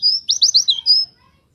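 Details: White-eye (pleci), a lure recording meant to get other white-eyes singing: a brief high, thin phrase of sweet whistled notes with a quick run of four downslurred chirps in the middle. Background is quiet.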